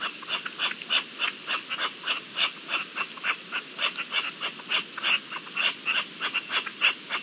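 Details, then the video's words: Partridges in the mating season, recorded on 27 April 2021: a steady run of harsh, scratchy chuck notes, about one per second with clusters between, sounding rasping and slightly hoarse over a quiet background. "Celo de perdices"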